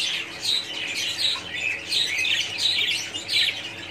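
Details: Colony of budgerigars chattering together, bursts of bright warbling and raspy chirps swelling and fading roughly every second, many voices overlapping without a break.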